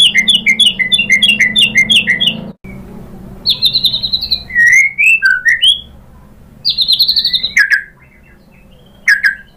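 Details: White-rumped shama lure song: a rapid run of high chirps, a pause, then bursts of buzzy high trills and looping whistles with quiet gaps, ending in isolated sharp calls.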